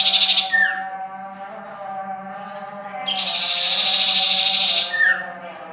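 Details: Sirtu or cipoh bird from Ajibarang producing long, dense buzzy trills broken by short down-slurred notes, over a persistent low hum.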